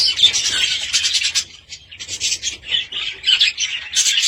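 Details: Budgerigars give a dense, scratchy warbling chatter of rasping, buzzy notes, pausing briefly near the middle before the busy chatter resumes.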